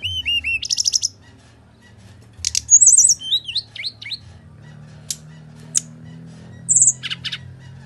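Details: Brown-chested jungle flycatcher in full fighting mode, meant to lure a reluctant singer: stuttering trilled notes, high squeaky whistles, and sharp isolated clicks over faint low hum.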